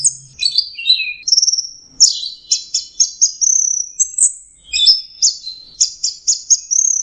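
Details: Orange-headed thrush in intense teler song, a tutoring recording for songbirds: descending whistles, then fast buzzy high trills and repeated bright notes in short bursts, on a clean quiet background.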